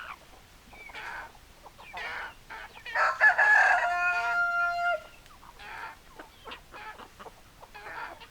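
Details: A rooster crows once, long and harmonic with a drawn-out falling tail, amid repeated short clucks from hens before and after.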